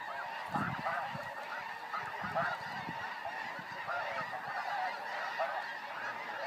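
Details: A softer, farther chorus of snow goose honks from a flock in flight, many voices blending into a steady nasal hum with occasional low bumps.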